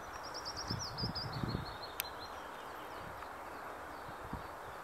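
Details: Tree pipit singing on 13 April 2024 at Leusden, Netherlands: a quick run of thin, high, repeated notes that step slightly downward, faint over rustling and a low rumbling background.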